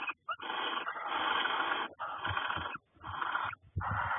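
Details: Male barn owl in a nest box in February, bringing freshly caught voles to the female in courtship before laying, screeching to call her in: long harsh hissing screeches in four bursts separated by short silences.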